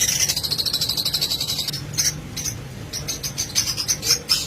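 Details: Lovebirds kept in a breeding colony on a pair-breeding farm: rapid, shrill, high chirps repeated in dense bursts for the first second and a half, then sharper separate chirps with brief gaps, over a low steady hum.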